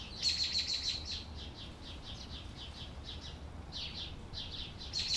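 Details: A canary singing: quick runs of high, thin trilled notes, roughly three per second, with a denser rolling burst at the start and end and a short gap midway, over a steady low background hum.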